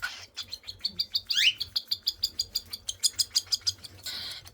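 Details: Baby cockatiels at feeding time, a rapid run of short, high, even chirps, about three a second, with a quick rising squawk near the middle and a harsh rasping burst at the end.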